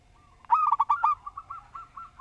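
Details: Local zebra dove, called perkutut, singing actively with a structured voice: a quick burst of clipped, ringing coos, then a softer trailing series of evenly spaced hollow coo notes slowing toward the end.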